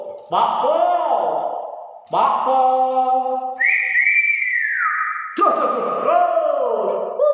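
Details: Common hill myna, a kept bird, uttering hoarse, speech-like syllables broken by one long whistle that rises and then glides downward.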